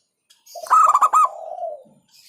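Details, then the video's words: Single hentakan phrase from a local zebra dove (perkutut lokal), said to provoke rivals: a brief burst of rapid pulsed coos trailing off into a drawn-out lower coo. "Hentakan Burung Perkutut LOKAL Suaranya Berkelas bikin Emosi Lawan"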